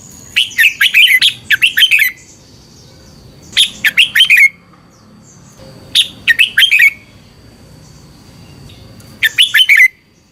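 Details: Caged-bird training song of a Thai red-whiskered bulbul, also played to excite birds: four loud phrases of bubbly, whistled notes, each phrase about a second long, repeated every two to three seconds over quiet background hiss.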